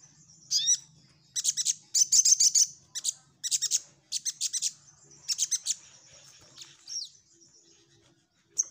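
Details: Orange-headed thrush in energetic nyecret nembak song: repeated quick bursts of high, staccato chattering notes, some hooked downward, packed through most of the recording, fading to single chips near the end.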